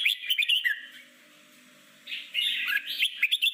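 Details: Red-whiskered bulbul in forest-style song meant to train newly caught birds for contests: a brief whistled warble, a second of quiet, then a richer, louder burst of bright slurred notes.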